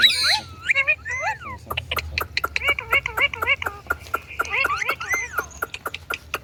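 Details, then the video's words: Talking Indian ringneck parakeet: a harsh opening squawk followed by rapid clicks and short speech-like chirped syllables in an irregular chattering run. "Indian Parrot talking And Making Sounds"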